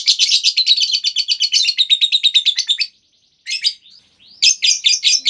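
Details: Lovebird long ngekek trill, used to get other lovebirds singing. A loud, fast, buzzy chattering trill of tightly packed notes runs for about three seconds, then breaks off before shorter bursts of chatter resume.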